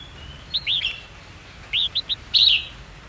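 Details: Fighting song of a red-whiskered bulbul, used to train young white-cheeked birds: short looping whistled notes in two bursts, three then three, ending in a louder chirpy flourish, over a quiet background.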